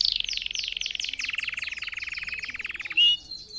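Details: Red factor canary song for training young singers: a quick rattling trill dropping to a lower steadier trill, then a short sharp whistle.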